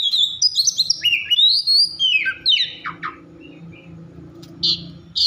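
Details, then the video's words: Oriental magpie-robin singing agitatedly to provoke rival magpie-robins into song: loud whistled phrases sliding down in pitch, mixed with sharp chirps, then a quieter pause before two short bursts of buzzy notes. "Kacer over emosi cocok untuk memancing Kacer lain agar bunyi dan gacor"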